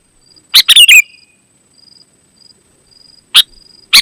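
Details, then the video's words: Sooty-headed bulbul, used as a lure to call other bulbuls: one burst of three quick bright chirped notes, then short sharp notes near the end, with a faint steady tone between them. "Suara Burung KUTILANG GACOR, Ampuh Untuk Suara Panggilan Burung Kutilang AUTO Ikut Gacor"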